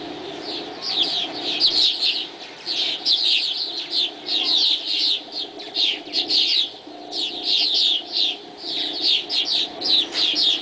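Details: Swallows chattering at dawn, a dense flock of high, rapid twittering chirps in bursts that rise and fall every second or so, almost continuous, with a faint low hum beneath.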